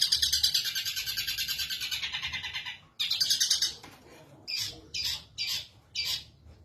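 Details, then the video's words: Long-tailed shrike in a cage in Indonesia singing energetically after its cover is opened: a long fast rattling buzzy trill, a second shorter trill, then a series of separate harsh squawk-like notes about half a second apart. "MASTERAN BURUNG CENDET BUKA KRODONG GACOR"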